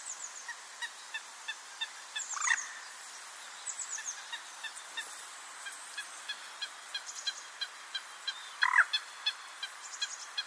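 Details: Common moorhen giving short 'kuurruk' calls, recorded with a Nikon D500: two brief harsh, throaty calls about six seconds apart, over steady faint ticking and thin high chirps from other birds in the background.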